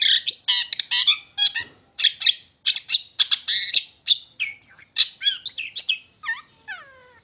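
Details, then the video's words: Lure recording of a long-tailed shrike in full song: harsh, tightly packed chattering notes, then clear downslurred whistles near the end, with no background sound. "Pancingan Cendet Terbaru 2020 Gacor Dor Bakal Nyaut"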